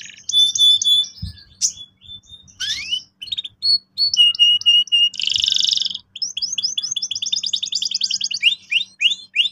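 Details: Canary singing to encourage juveniles to roll sharply: mixed whistles and sweeps, level tones, a dense buzzy section, then a long run of rapidly repeated rising notes.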